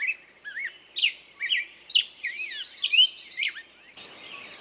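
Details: A bird sings a quick sequence of slurred whistles and chirps, each phrase rising or dropping in pitch, closely spaced, with a faint hiss at the close.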